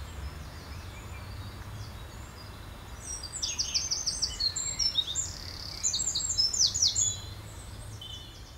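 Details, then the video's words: Sparrows bathing at the Roman ruins in Vidy on 16 June 2013, giving bursts of high, sharp chirps in quick repeated runs through the middle of the recording, over a steady low rumble of background noise. "Sparrows bathing"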